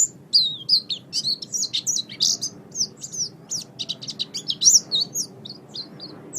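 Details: Oriental white-eye song for tutoring songbirds: a busy, varied warble of sharp, high chirps and short slurred whistles, delivered in quick uneven succession throughout.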